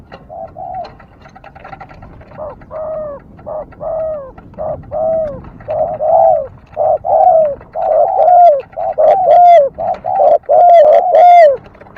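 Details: Dove cooing that starts faint and grows louder over twelve seconds, with soft falling coos in quick repeated pairs at nearly one per second.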